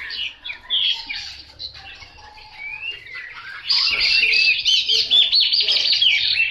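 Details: Chinese hwamei song opening with scattered whistled phrases and a quieter middle, then growing into loud, rapid, high warbling from about four seconds.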